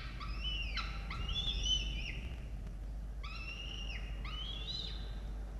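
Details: Young peregrine falcons being fed by their parents at a nest in Orange, Australia, 18 October 2022; paired high, harmonic whining notes, some sliding upward then breaking off, given in two bursts against a constant low background hum.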